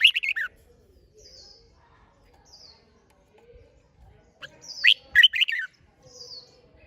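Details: Red-whiskered bulbul, competition-style song for stirring birds to sing. A warbled phrase ends at the start, then another loud, jerky whistled phrase follows, with thin high whistles from another bird in the background.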